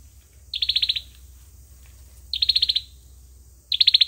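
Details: Olive-backed sunbird fighting song for luring birds into traps: three high, rattling trills of rapid pulses, spaced about one and a half seconds apart, over a steady low background hum.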